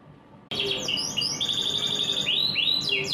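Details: Morning song of a canary: fast repeated trills and sweeping whistled notes, about four units a second, over a steady background hum.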